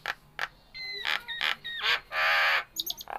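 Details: Nias hill myna in very vocal form, giving a mix of clear steady whistles, harsh broadband bursts and a long rasping screech, ending with short sharp high notes.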